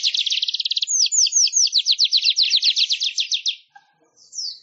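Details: Weaver, known locally as manyar, singing for a songbird-training master recording. A fast, even, pulsed high trill runs for about three and a half seconds, its notes becoming slurred, downward-sweeping strokes midway, then a short separate buzzy note.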